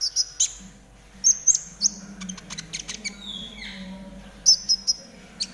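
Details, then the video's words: Konin trotol song to make caged birds sing sooner: high whistled phrases, a couple of lower descending whistles mid-way, then sharp repeated chirps, with a faint low hum throughout. "TERAPI KONIN TROTOL AGAR CEPAT BUNYI || MASTERAN KONIN TROTOL GACOR"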